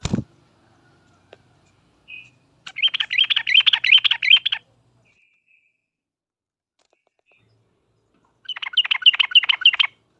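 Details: Sooty-headed bulbul lure song in the 'uplik uplik tarong ropel tajam' style: a short thin note, then a two-second rattle of fast bubbling chirps, a long pause, and a second shorter burst of the same chatter.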